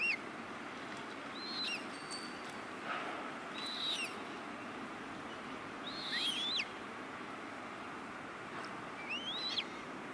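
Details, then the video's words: Juvenile common moorhens calling at Rosental Pond in Leipzig in August 2024: thin, high, slurred peeps that rise and fall, given singly about every two seconds over a steady background hiss. "Moorhen juvenils calling"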